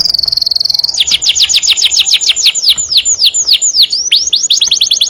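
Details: Energetic canary song from a master recording for training other birds. A steady high whistle opens, then a fast series of downslurred whistled notes, ending in scattered V-shaped notes.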